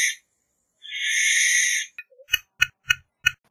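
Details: Barn owl: one long, breathy hiss, then a run of short, sharp clicks or snaps repeated several times a second.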